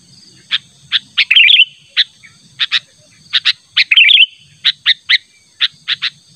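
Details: Sooty-headed bulbul persistently calling out a rival, natural sound: crisp chirps about every half second, twice interrupted by a short bubbling warble, against a steady high whine.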